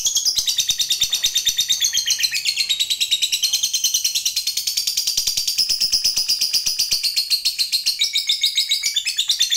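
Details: A lovebird fighter delivers a sustained high, rattling trill used to draw other lovebirds into answering, its fast pulses churning on unbroken for nearly ten seconds with small rises and dips in pitch.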